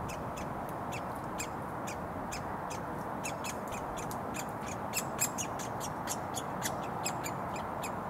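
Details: Woodpecker fledgling begging for food from a parent in a roadside Surrey front garden in June 2022. Rapid run of crisp, clipped high notes, roughly three per second, continuing throughout against constant traffic roar.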